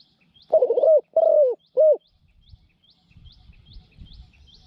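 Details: Decoy Spotted dove, newly acquired for trapping wild doves in a pen, cooing one three-part phrase of two drawn-out soft coos and a short clipped note, while faint high chirps from another bird tick on steadily behind.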